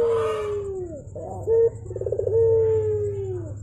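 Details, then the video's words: Javan turtle dove with a long falling coo, then a short clipped note, a rapid rolling trill and another sustained coo tapering downward, over a low background hum. "BURUNG PUTER GACOR"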